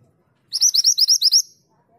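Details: Female mountain mantenan calling for the male with a crisp run of seven high, rising, evenly spaced notes over under a second, in otherwise quiet surroundings.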